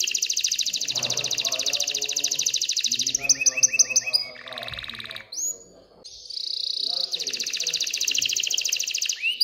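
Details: Excited canary song aimed at stimulating females to mate and nest: long rapid high rolls and trills, quick chattering note runs, a short pause, a sweeping whistle, then renewed buzzy rolling tours.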